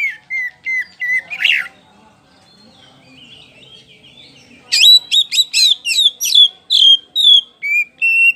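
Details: Kacer poci oriental magpie-robin singing to provoke other birds into song: a few clear whistles and a harsh burst, a quiet gap, then a loud fast run of ringing downslurred notes and steady whistles.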